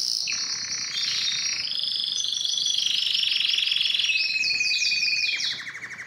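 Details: Canary of Belgian or Spanish timbrado song style, training song: layered high rolling trills shifting between pitch levels, rapidly pulsed notes about four per second, fading slightly at the close.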